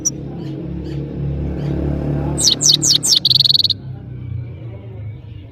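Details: European goldfinch, locally saira, from Parachinar: a brief burst of four high, sharply downslurred notes and a short rattling trill over a steady low background hum.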